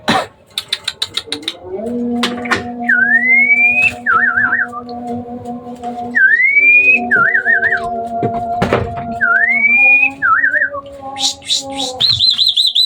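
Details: Hybrid Asian pied starling singing vigorously at night: three clear whistles sliding upward, each followed by a quick wavering trill, over steady low droning tones, with sharp clicks at the start.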